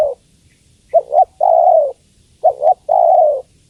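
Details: Female spotted dove calling the male with soft deep coos: a paired short note then a sustained descending coo, the phrase repeated once after about one and a half seconds.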